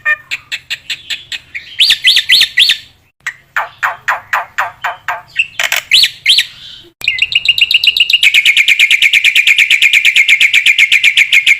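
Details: Vigorous song of a black-winged myna, used as training material for other mynas: varied phrases of rapid chips and scratchy notes with short pauses, ending in a long, very fast high trill.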